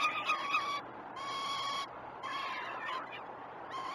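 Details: Peregrine falcon chicks at a feeding on a live nest cam at Great Spirit Bluff, 12 June 2018: harsh, drawn-out wailing calls with rich harmonics, in bursts of about a second separated by short gaps.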